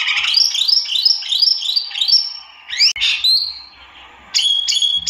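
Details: Wambi mini or tieu mi, a white-eye, gives a rapid run of repeated rising slurred notes, then a pause and two sharp high chirps.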